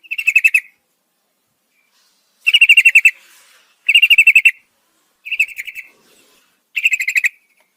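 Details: Yellow-vented bulbul female, calling the male at night, repeats a short bubbly phrase of rapid pulsed notes five times, each burst about a second apart and clear against silence.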